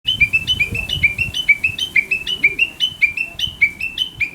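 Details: Chinese hwamei singing in the countryside, a bird that wakes the household every morning with a chattering, talk-like voice; fast run of bright whistled notes alternating between a higher and a slightly lower pitch, about five per second, with faint low rumble beneath.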